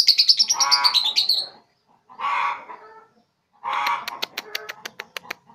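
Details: Young three-month-old lovebird learning to chatter (ngekek), giving a rapid run of high squeaky chirps, then harsh buzzy bursts and a series of sharp clicking notes.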